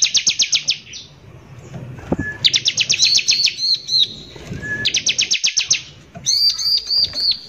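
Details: Energetic Bar-winged prinia song of the harsh 'nembak kasar' type, played as a lure to rile other prinias: three rapid runs of piercing high chips, separated by short pauses, with a faint slurred whistle between them.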